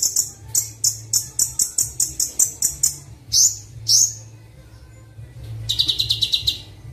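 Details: Sunbird training song for caged birds, also used to lure wild sunbirds: a rapid run of high, evenly spaced ticking notes, two upslurred chirps, then a quick trill, with a faint low hum beneath.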